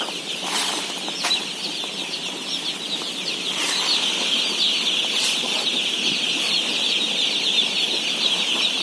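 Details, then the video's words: Thousands of day-old chicks at feeding, 17,000 in all: a relentless shrill peeping wash that grows slightly louder, with several scattered rattling bangs early on. "BABY CHICKEN SOUNDS"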